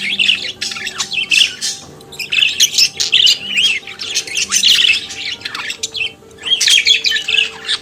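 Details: Budgerigar, the Australian parakeet kept as a pet, singing and chattering: continuous scratchy, buzzy warbling with squawky notes and short whistles, in bursts with brief pauses around six seconds.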